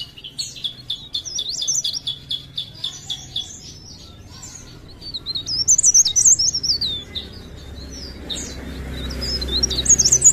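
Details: Leaf warbler, cikrak daun, of Pare Pare in lively blereng-style song: a run of sharp high chips, then a louder, denser burst of squeaky, zigzagging whistles, with a faint low hum underneath.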